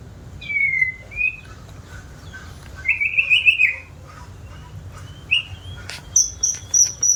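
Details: White-rumped shama, described as singing diligently, mixes drawn-out slurred whistles with a brief trilled phrase and, near the end, quick high clicks and chips over low background hum.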